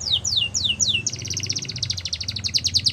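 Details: Yorkshire canary singing for training: four slow descending whistled sweeps, then a fast, even trill of short notes with a faint low hum underneath.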